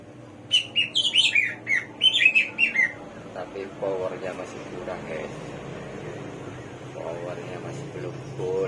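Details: Hwamei, locally called samyong or garuwa and known as the bird of 1001 voices, singing: a quick run of bright, varied whistled and chattering notes for three seconds, then fainter lower sounds and background murmur.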